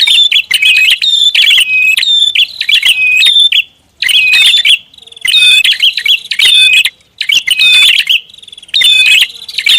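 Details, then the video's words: Prinia calls used as a lure: strong, rapid, high-pitched chirping in tight clusters, with bursts roughly every one to two seconds and clear short silences between groups. "SUARA PIKAT BURUNG PRINJAK ATAS RIBUT"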